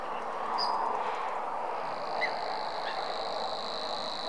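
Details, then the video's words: Savi's warbler reeling: a steady, high, buzzy trill starts about a third of the way in and runs without a break to the end, over a broad hiss, with a few short chirps from other birds. "Nádi tücsökmadár"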